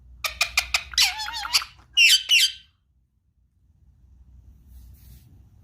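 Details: Indian ringneck parakeet kept as a pet indoors, curious about an iPad. Rapid clicking syllables run into a raspy chatter and two loud squealing notes, then nearly three seconds of quiet room tone.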